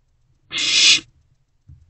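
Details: Barn owl owlet in a nest box after midnight, swallowing delivered prey; a single half-second breathy hiss, followed by a faint low bump.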